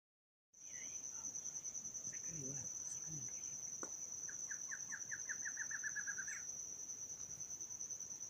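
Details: Barred antshrike at a new southernmost record site for the species gives a series of short, nasal notes that speeds up into a rapid roll and ends on a higher, sharper note. A steady, high insect whine runs throughout.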